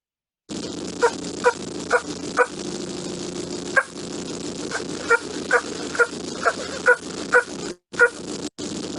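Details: Wild Turkey tree yelps, given in North Carolina at the roost in the morning before flying down so birds can talk to each other: about a dozen soft, nasal notes in loose runs, roughly two per second, over faint hiss.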